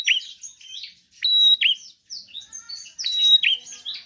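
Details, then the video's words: Energetic bar-winged prinia song intended to coax lazy birds to sing, with high scratchy chirps, a steady piercing whistle and quick downslurred notes repeating in short, uneven phrases. "Prenjak gacor penarik burung malas bunyi"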